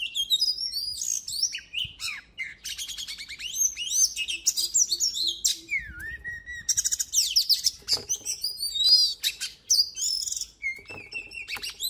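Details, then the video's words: Oriental magpie-robin, kept for singing training, delivering a dense rich song of fast whistles, downslurred notes, chattering trills and buzzy rattles with hardly a pause for twelve seconds. "Luyện giọng chòe than HÓT HAY || Kích chòe than hót căng lửa || Suara Burung Kacer Gacor"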